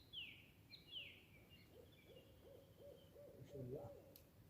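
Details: Forest birds singing: two sharp, falling whistles open, followed by a faint trailing whistle and a string of soft, low hooting notes repeated about twice a second, with light background hiss.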